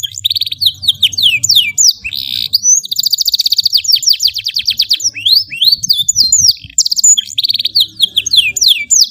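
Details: Canary in long, continuous song for tutoring young birds: rolling trills, buzzy rattles and swooping whistled notes follow one another without pause over a soft low background hum.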